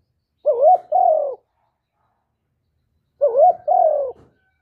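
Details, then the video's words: Spotted dove (cu gáy, cu cườm) calling coo. The same low, husky two-part coo is given twice, about three seconds apart: a wavering first note, then a longer falling one. Nothing else is heard. "tiếng cu gáy giọng thổ thúc và gáy gọi"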